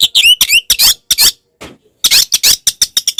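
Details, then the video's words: Harsh, scratchy bursts and a few quick slurred whistles from an Oriental magpie-robin (kacer) delivering a tarung konslet fighting song used to provoke other magpie-robins, with a short pause before a fast run of grating notes. "SUARA BURUNG kacer gacor TARUNG konslet"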